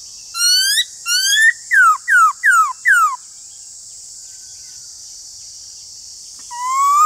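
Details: Duelling with another laughingthrush, a Black-throated laughingthrush gives two rising whistles, then four rapid loud falling whistles. Silence follows before a rising held whistle at the end, with continuous background hiss.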